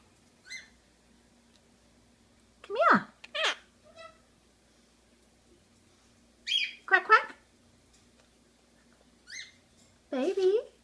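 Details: Pet Quaker parrot vocalizing indoors: scattered bursts of harsh, harmonic squawks and chattering syllables in clusters at about three, seven and ten seconds, separated by quiet gaps, with a steady low hum in the room.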